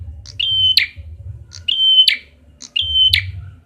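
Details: Red-headed prenjak prinia lure call: three repeated phrases, each a short high note, then a steady level whistle ending in a sharp buzzy crackle, about one a second, over a low droning hum.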